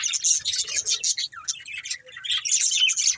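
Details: Several pet budgerigars playing and eating, with dense, continuous high warbling chatter of overlapping chirps and squeaky twitters, busy throughout with brief dips near the middle.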